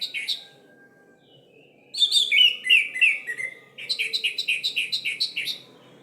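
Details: Orange-headed thrush singing, played to stir silent birds into song: a short double note, a pause, a run of loud descending slurred whistles, then a steady series of quick repeated chirps.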